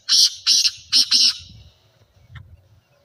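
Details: Black francolin call used to make francolins call, a loud harsh rhythmic series of four grating notes in quick succession, then fading echoes and a faint short note.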